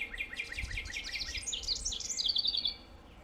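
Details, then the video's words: North American backyard wren pouring out a bubbly song: a run of quick, sharp, descending chips speeding up into a tinkling, high, rapid trill that ends abruptly, over soft ambient noise. "WREN - Backyard Birds - North America"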